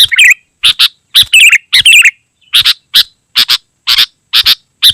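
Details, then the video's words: Lively, dense song of a sooty-headed bulbul, meant for calling wild bulbuls and as a tutor: warbled, bubbling phrases mixed with harsh, doubled chirps repeated about twice a second. "Suara Burung KUTILANG GACOR Sangat Rapat"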